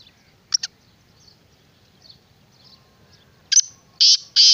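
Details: Black francolin calling: two faint clipped notes at first, then, after a pause, a loud sequence of three harsh, buzzy notes, the last two longer and grating, in a quiet rural setting.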